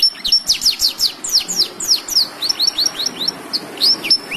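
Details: Black-throated canary in vigorous song, used as a master recording for canaries, blackthroats and yellow-fronted canaries; a string of shrill downslurred whistles and quick chirps, repeated at a brisk pace.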